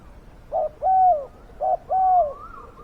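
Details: Decoy spotted dove luring wild doves gives two loud phrases, each a brief low coo followed by a drawn-out, slightly falling coo, with a faint higher coo from another dove at the end.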